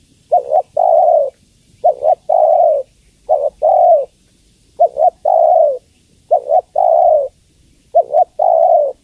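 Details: Female spotted dove cooing to call the male: a steady series of phrases, each two clipped notes and a sustained, slightly falling coo, repeating roughly every second and a half in quiet surroundings.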